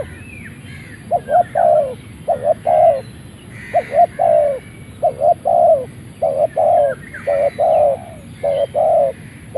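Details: Decoy spotted dove of Malaysian line, caged, crowing straight after leaving its box: repeated hollow cooing phrases, short double hoots and longer drawn coos, about one per second, while other birds chirp softly behind.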